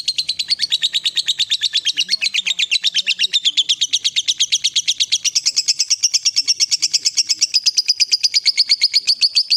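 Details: Long ngekek trill from a fighter lovebird used as a stimulating lure: nearly ten seconds of fast, high, buzzy pulses, drifting gradually upward and becoming louder toward the end.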